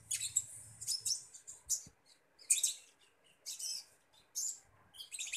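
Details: While being fed, a common iora gives hoarse, hissing high chirp bursts spaced by brief silences, with a faint low hum at the start.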